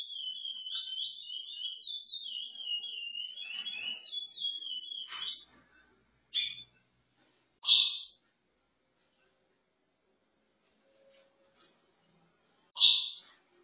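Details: Chestnut-bellied seed finch (curió) in a breeding setting: a rapid warbled whistled phrase wavering up and down for about five seconds, followed by silence broken by a few sharp clicks and bangs.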